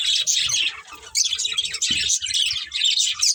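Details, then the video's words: Budgies of a breeding pair twittering and warbling rapidly, high squeaky notes bunched into short busy bursts with soft low flutters beneath. "Beautiful Budgies Chirping Sounds"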